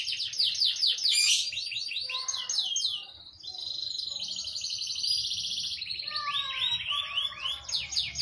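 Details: Canary delivering a long, dense song intended as a master recording for young birds: quick repeated chirps, a buzzing sustained trill, then more sweeping slurred notes.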